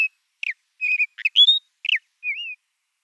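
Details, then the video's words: Ant-eating chat calls: a series of short clear whistled notes and brief slurred chips, some falling, one rising, ending in a soft wavering whistle, all high-pitched on a silent background. "Ant eating Chat - Calls"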